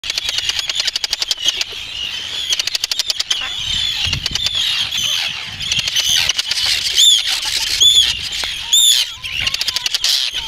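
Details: Arctic terns at a colony on the Farne Islands, UK, an adult feeding chicks: dense overlapping high, harsh, grating calls with sharp rising squeals, and bursts of rapid clicking ticks throughout.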